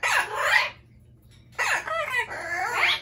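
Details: Pet Amazon parrots screaming indoors: two bouts of harsh, raspy squawking split by a second of quiet, with wavering, slurred tones in the second bout and a low hum beneath.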